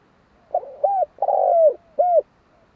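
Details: Spotted dove cooing in a steady rhythm: two short hooted notes, a long sustained coo that slides slightly downward, then one clipped closing hoot, all low and mellow against a quiet background.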